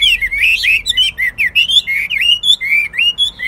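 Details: Caged Chinese hwamei, a male kept for singing and fighting contests, delivers a fast, unbroken run of loud, clear whistled phrases that slide up and down, each note bending and looping, with brief gaps roughly every half second.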